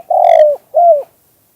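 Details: Spotted dove song in the two-kuk-hoi style: the end of a phrase, with a long loud falling coo followed by a shorter arched coo, both low and hollow, then silence.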